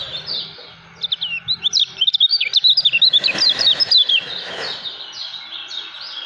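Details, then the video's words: Lemon-bellied white-eye (kecial kuning), a caged contest bird, in 'ngejos' singing: a rapid burst of sharp, high chirped notes, about twenty in three seconds, between quieter twittering before and after. "KECIAL KUNING SUPER NGEJOS"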